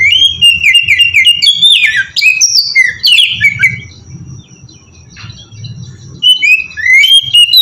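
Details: Oriental magpie-robin singing melodious ngeplong phrases as a lure for other magpie-robins: quick, warbled whistles and chirps for about three seconds, a quieter stretch with low rumbling, then further whistled notes.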